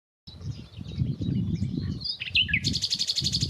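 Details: Nightingale singing unseen in nearby bushes, where it has stayed for a few weeks; varied high chirps and whistles, then a fast buzzy run of repeated notes, with steady low rumbling noise underneath.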